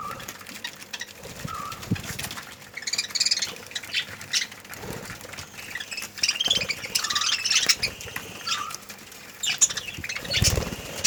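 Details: A breeding colony of budgerigars chatters in bright, overlapping warbles and chirps, with bursts of wing flapping.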